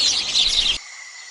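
A rapid, high jumble of sparrow chirps runs for under a second, then cuts off abruptly, leaving only a faint thin tone.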